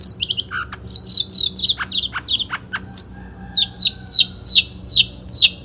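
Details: National champion Long-tailed Shrike in 'satu titik' singing style, 2016: scattered sharp clicks and chirps, then a steady series of high, downslurred whistled notes repeated about twice per second.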